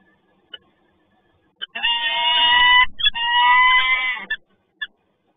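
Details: Peregrine falcon at PGE Toruń on a rainy morning: two drawn-out, harsh, whining wails of about a second each, separated by a brief break, with a few faint clicks before and after.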